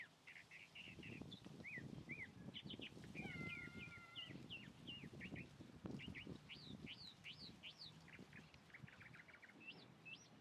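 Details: Singing chalk-browed mockingbird delivering a varied string of short hooked whistles and sweeping notes, some paired, with a steady low rumble of background noise underneath throughout.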